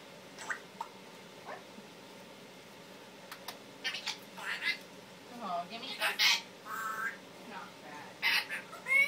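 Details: Household Timneh African grey parrot, a male that mimics words and sounds, including cursing and coughing, produces a jumble of mimicked speech, clicks and squawky syllables that grow louder toward the end.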